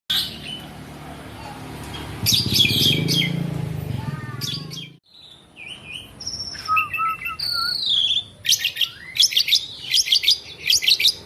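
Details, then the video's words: Asian pied starling, black and white, kept as a cage bird, singing nonstop: a varied run of harsh chattering bursts and clear whistled notes, some sliding and some held flat, after a brief low rumbling stretch. "JALAK SUREN GACORR,..Suara tiada henti henti"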